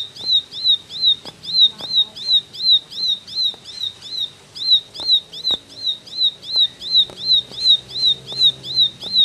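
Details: Ciblek in full 'tembakan' delivery, a long even series of piercing high notes, each dropping then flicking up, about three per second, with faint low background noise and scattered clicks.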